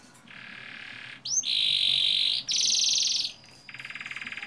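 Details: Long-rolling canary song played to coax young canaries into singing: a buzzy trill, an upslurred note into a loud sustained roll, a second high roll, then a pulsing rattle.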